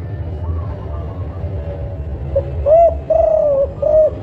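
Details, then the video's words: Spotted dove of the local Songgo Ratu kuk 5 type, a loud-voiced caller used as a lure for other doves: after a noisy, rumbling start, a few mellow, rounded coos follow in a quick broken series. "Tekukur Songgo Ratu Kuk 5 Sanji Gacor Suara Besar Cocok Buat Pancingan"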